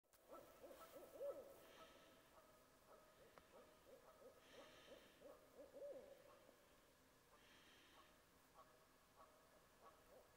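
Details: Barred owls in boreal forest give soft, low, wavering coos and hoots at an uneven pace, with faint breathy hisses drifting in between.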